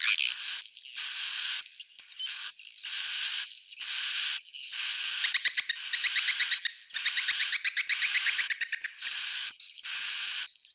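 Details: Lure call for roosting swiftlets: buzzy, high twittering bursts repeated roughly once a second, many of them opening with a sharp upslurred whistle, some bursts holding fast rattling pulses.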